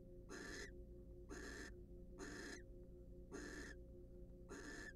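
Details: A pair of wild barn owls preen and court inside a research nest box. Their rough, breathy screeches come about once a second, five bursts in all, with a constant low hum beneath.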